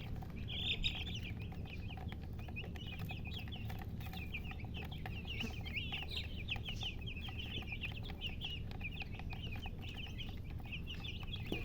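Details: Chicken chicks give a continuous stream of high, quick peeps, at times overlapping into chattering runs, while a deep hum sits underneath throughout.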